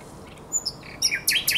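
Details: Short fragment of common nightingale song from the Żerański Canal, night of 23–24 April 2022: a few thin high whistles followed by two harsh, buzzy bursts.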